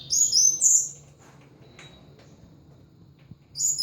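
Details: Caged thrush giving short bright high whistled phrases of ngeplong song at the start and end, with near silence between them.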